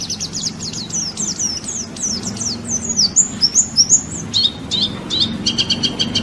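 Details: White-eye (pleci) song used as masteran training audio for songbirds, billed as a national champion: rapid high chirpy phrases, repeated downslurred notes running for several seconds, then sharper clipped chips, over a low steady hum.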